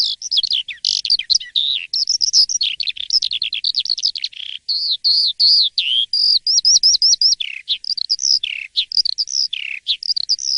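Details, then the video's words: Morning song of an Asian pied starling, delivered loud and continuously: rapid strings of high whistles and buzzy chattering notes, some phrases repeated in quick runs, with a brief pause midway. "Kicau dipagi hari!! BEGINI JALAK suren yang gacor dan ngeplong di waktu pagi"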